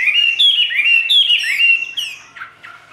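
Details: Brief burst from a caged Chinese hwamei, "ngũ trường" style: three or four loud, clear whistles with sharp rising starts, then fading into softer lower notes.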